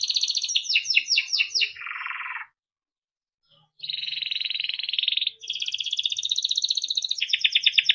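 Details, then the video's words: Timbrado canary singing a melodic training song: a run of fast descending trill pulses, a lower buzzy roll, a pause, then long sustained rolling trills that shift pitch from one phrase to the next. "Timbrado canary singing beautiful melodic songs for training and listening"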